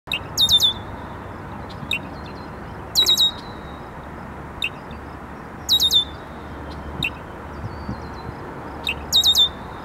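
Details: A male red-winged blackbird defends his territorial perch near a pond at McDowell Grove Forest Preserve, DuPage County, Illinois, on June 8, 2015: short, high, buzzy trilled phrases about every three seconds with soft chips between, faint rumble behind.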